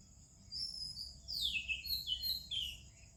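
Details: Oriental magpie-robin singing in the morning, with other birds also singing: a short run of high, clear whistled notes, some sliding downward, over a faint steady hiss and low rumble.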